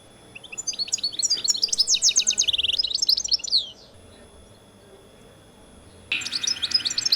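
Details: A captive European goldfinch of an Annaba, Algeria singing line, recorded to tutor young goldfinches, sings a fast, tinkling twitter of high liquid notes with a brief buzzy trill, pauses about two seconds, then bursts into song again.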